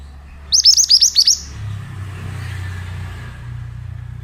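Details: Pied bushchat song used as a lure for untrained birds: one quick run of about seven bright, down-slurred whistles lasting under a second, followed by a steady low rumble of passing traffic.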